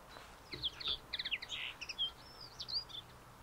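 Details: Spring song of a common linnet at Lentevreugd, Netherlands, on 13 April 2021: quick twittered phrases mixing dry chirps, buzzy notes and thin rising whistles, delivered in an uneven stream over faint background hiss.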